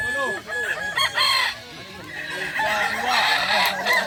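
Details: Kukuak balenggek cocks crowing in a contest at Sirukam dairy farm, Solok regency; a short burst of loud, overlapping warbling crows with rising and falling notes, among a crowd of other roosters.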